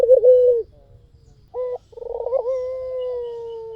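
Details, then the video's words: A white dove coos as a lure for other doves: a short low coo, a brief clipped note, then a rapid rolling trill that settles into a sustained, slightly falling coo. "SUARA PUTER PUTIH FULL GACOR || PANCINGAN AMPUH || SUARA BURUNG PUTER GACOR"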